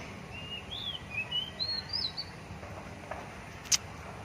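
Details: Oriental magpie-robin, a wild kacer, delivers a quick run of sweet, slurred whistles rising and falling for about two seconds, followed by quiet and a single sharp click, with constant low background hum.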